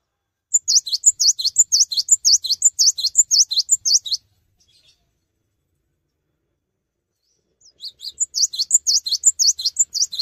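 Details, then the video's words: Cinereous tit (gelatik batu) in energetic, nonstop song without hopping: two bursts of rapid, high, squeaky repeated notes, the first lasting about three and a half seconds, then a silent pause of several seconds before a second burst. "GELATIK BATU GACOR"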